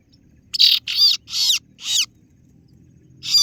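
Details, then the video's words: Kaso-kaso bird, also called singo barong, giving a lure call for rivals: four rasping, buzzy notes in quick succession, then a pause and one more note, with a faint low hum beneath. "Suara pikat burung kaso kaso(singo Barong) Terbukti ampuh ,kaso kaso ciet ciet memangil lawan"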